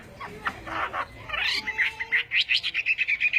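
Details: Chinese hwamei singing a morning fighting-style song meant for voice training; a rough, noisy start gives way to a fast run of short bright notes repeated about three times a second.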